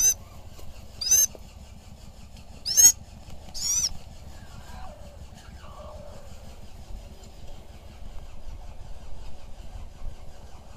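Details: Sulawesi goshawk flown in falconry while hunting: three loud, harsh, high-pitched screams close together in the first four seconds, then only faint background rumble.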